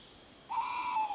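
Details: Tawny owl giving a single drawn-out, nasal, harmonic screech lasting under a second, fairly level then dipping slightly at the end, against a quiet background.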